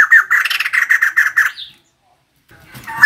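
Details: Female white-crested laughingthrush delivering a fast series of harsh, cackling laughter notes, then falling silent before a loud final burst.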